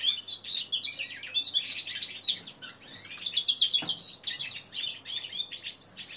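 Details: A young male linnet-canary hybrid, 3 months old and still learning to sing, gives a rambling, jumbled stream of high twittering and chirping notes, about four per second, with a soft click partway through.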